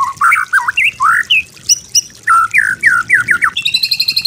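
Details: White-rumped shama master song for training, with wavering whistled notes and chattering slurs ending in a fast high trill.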